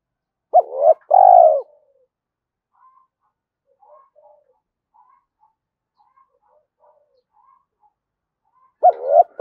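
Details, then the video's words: Spotted dove cooing steadily in the 'gáy thúc' style to pull wild doves in. A loud phrase opens, a hooked double note and a long coo, then scattered faint soft notes, and a new phrase begins at the end. "tiếng cu gáy thúc hay rút bổi, gáy gọi liên tục dục chim bổi về nhanh"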